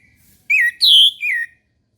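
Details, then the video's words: Orange-headed thrush in the morning giving one rich whistled phrase: a slurred falling note, a louder and higher drawn-out whistle, then a short dropping note. "PANCINGAN ANIS MERAH TERBARU 2022 | BURUNG MACET LANGSUNG IKUT NGEMPLONG"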